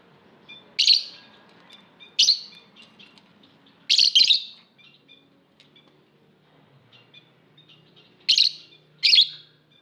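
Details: Lovebirds in an aviary giving loud, sharp, harsh chirps in short separate bursts, some doubled, with quiet gaps between them and faint soft twittering underneath.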